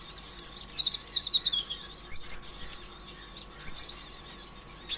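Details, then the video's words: Van Hasselt's sunbird, locally konin ijoan or kolibri ninja, singing a bursting 'konslet' song used as a lure to stimulate other sunbirds to sing; very high, thin twittering trills and sharp sweeping notes in rapid bursts. "PANCINGAN ampuh suara konin ijoan KONSLET"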